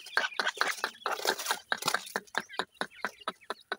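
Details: Partridge chicks, two types named Dhakni and Irani teetar, playing and fighting; a rapid run of short, sharp, chirping pulses, at times overlapping in a busy cluster, then thinning into separate clipped peeps toward the end.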